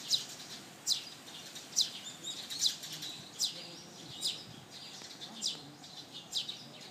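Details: Sparrow chick begging for food and being ignored, later fed by what may be a parent; short high descending chirps repeated roughly every 0.8 seconds, steady and insistent, over faint background noise.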